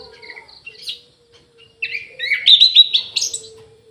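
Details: Captive Orange-headed thrush in an aviary: a few faint thin whistles, then a loud hurried phrase of bright, rising, chattering notes. A steady low hum sounds throughout.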